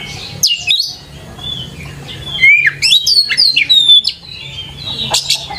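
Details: Oriental magpie-robin lure song: abrupt chirps open, then a run of swooping, rising-and-falling whistles and buzzy notes packed closely together, with low steady hum in the background.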